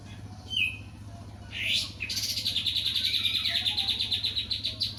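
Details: Opior jambul (Javan grey-throated white-eye) singing loudly: a few sharp, high whistles sliding up and down, then a fast, even trill of rapidly repeated high notes lasting about three seconds, over a steady low hum.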